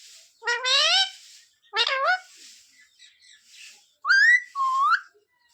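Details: Talking parrot mimicking words like sita-ram and jay shree ram; rising nasal syllables in pairs, with a high whistled upslur and a lower falling note near the end, pauses between.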